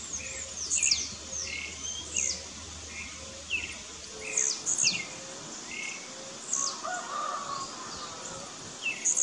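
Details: Rival blue-black grassquits dispute in the bush, trading short, high, buzzy notes that snap downward. Phrases repeat every one to two seconds, mixed with lower twittering chirps and a steady background hiss of insects.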